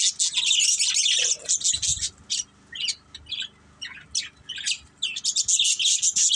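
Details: Budgerigars kept as a pet family burst into loud, high chattering, then break into scattered short chirps spaced by silences before a final burst of dense twittering.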